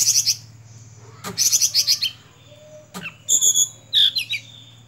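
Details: Sunda robin, known locally as tledekan gunung, gives high rapid pulsed trills in short bursts with sharp clicking notes and a thin whistled phrase, separated by brief gaps, over a faint low hum.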